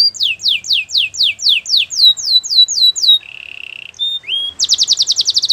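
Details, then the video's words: Canary training song with a run of falling whistled sweeps, a short low buzzy trill, a rising slur, then a quick high rattling trill; quiet room background. "Canary's training song"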